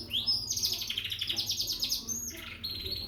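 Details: Young Frill canary from Peshawar singing: bright, high trills and fast rattling phrases, with rapid repeated notes, some rising sweeps and a brief pause before the song resumes. Faint low background hum.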